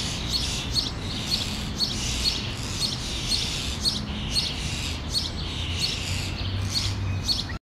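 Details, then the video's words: Starling fledglings calling on a branch as the parent comes to feed them, Helsinki, June 2013: a steady series of scratchy high-pitched calls, roughly two per second, against constant low-frequency hum. "Interaction between Starling fledglings and parent"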